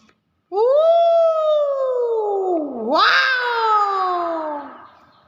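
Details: Nias hill myna giving its natural call indoors: a loud, rich whistle sliding slowly downward for about two seconds, then a sharp rising note that breaks into a harsher falling tone; a person exclaims just before.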